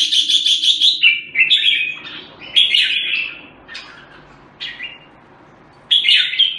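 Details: Red-whiskered bulbul song: a fast buzzy rattling opening, then separate rising and falling warbled notes spaced by quiet gaps.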